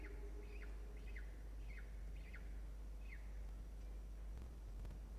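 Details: Peregrine falcon at a nest box atop a water tower at Charles Sturt University, Orange, NSW, Australia, 13 October 2021, 10:14, gives five short, downslurred calls, about one a second, over steady low wind and traffic rumble.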